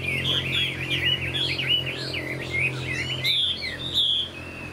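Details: Caged Chinese hwamei, a young bird of this year, tail-flicking while singing a busy, warbling run of twisting whistled notes ending in a clear sustained whistle.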